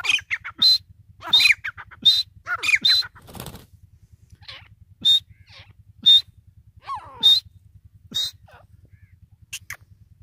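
Grey francolin giving harsh, ringing notes in quick bursts, roughly one every second, over a steady low mechanical hum.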